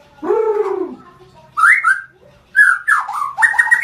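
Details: Blorok-type white-rumped shama giving a low hoarse cooing note, then bright whistled phrases with sharp high ticks, ending in a fast chattering run.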